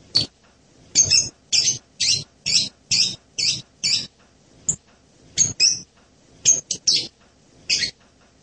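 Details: Blue-crowned hanging parrot uttering a steady series of short, very high, sharp chirps roughly every half second, then a looser, irregular sequence of similar notes.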